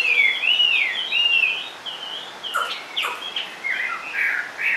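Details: Chinese hwamei kept caged and singing from a low perch: rolling wavering whistles that slide up and down, followed by sharper, scattered short phrases.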